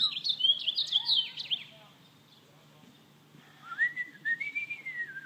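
An American robin gives a quick burst of bright, warbled, chirping notes, then after a pause a smooth, slurred human whistle rises and falls.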